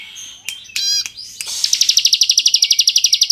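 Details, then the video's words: Energetic ngebren song of a crystal-type Bar-winged prinia, used to provoke untrained birds: a few sharp clicks and a short buzz, then a long, steady run of rapid high buzzy notes lasting nearly two seconds. "Masteran Ciblek Gacor Full Ngebren Variasi Cocok Untuk Memancing Emosi Ciblek Bahan"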